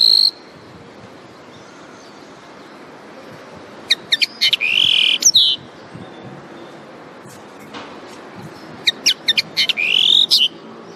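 A common linnet sings two short bursts of quick, twittering high notes mixed with rising whistles and dry trills, separated by quiet pauses.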